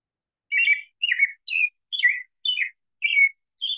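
An American Robin carols in clear, warbled phrases, seven short rising-and-falling notes about half a second apart, in a cheer-up, cheerio pattern that claims its territory.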